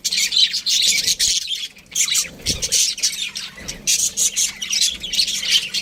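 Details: Budgerigars squawking and chirping together, harsh high chatter in clustered bursts separated by short quiet gaps.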